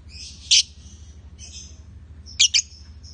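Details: Male and female lovebirds utter a few isolated sharp high chirps and a softer buzzy note, separated by short quiet gaps.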